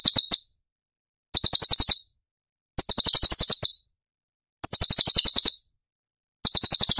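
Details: Rapid high chattering bursts of a cucak cungkok, tembakan song from Cililin used as masteran for other songbirds. Five short buzzy rattles with pauses of about a second between them.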